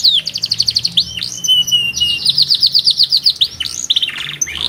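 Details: Powerful canary song with an unusual rhythm: a short rapid trill, a long level whistle, then bouncing tours of repeated high notes and a brief fast buzzy burst.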